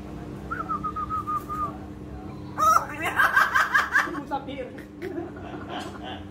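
A hill myna imitates human speech: a level whistled note, then a quick run of harsh, voice-like syllables, with a little real speech nearby.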